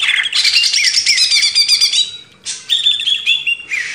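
A greater green leafbird sings a loud, rapid, varied stream of bright chirps and whistles, with a brief pause before a higher sustained whistled phrase.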